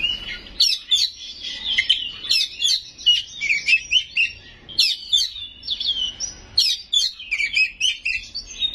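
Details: White-rumped shama singing a loud, fast, mimic-filled song: clustered sharp whistles and chirps in bursts of about half a second, repeated with short gaps, steady low background hum.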